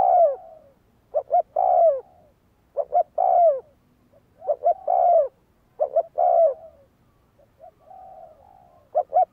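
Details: Decoy spotted dove in training, giving phrases of paired short notes that run into drawn-out, downward-sliding coos at uneven intervals, with soft level coos filling some gaps.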